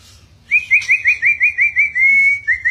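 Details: A pet white-rumped shama, lively and chattering, answers its owner with a clear whistled trill of about eight quick, evenly spaced notes, then a steady sustained whistle and a short final flourish.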